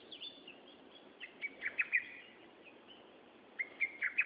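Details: Wild bird song recorded outdoors on 13 June 2011: short bright chirped phrases, a burst of rising notes around the middle and another cluster near the end, over a steady low background hum.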